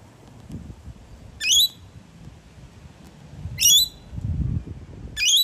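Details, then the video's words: Wild rainbow lorikeets visiting a balcony in Melbourne, Australia: three harsh, shrill screeches about two seconds apart, each a short burst with stacked high harmonics, over low background rumble. "Rainbow Lorikeet Sounds"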